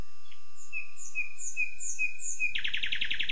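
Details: Common nightingale singing: a run of clear whistled notes, each paired with a higher slurred note and repeated about every half second, then breaking into a rapid series of loud, buzzy repeated notes.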